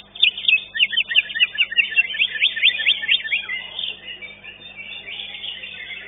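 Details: Greater green leafbird in competition at Legok Permai, finishing second: a rapid run of about a dozen sharp, repeated downward-sweeping whistles, then softer warbling mixed with other contest birds.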